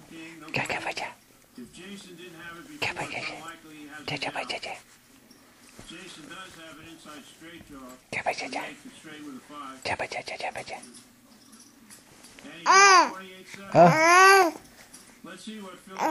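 A pet budgerigar chatters in quick, raspy bursts of mimicked speech, ending with two loud, rising squawks.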